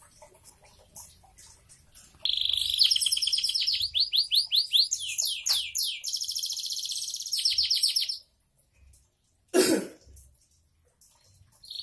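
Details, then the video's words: Canary, described as a diligent non-stop singer, delivering rapid high trills and repeated descending sweeps for about six seconds, then a brief pause broken by one sharp broadband burst. "Kenari bocor rajin"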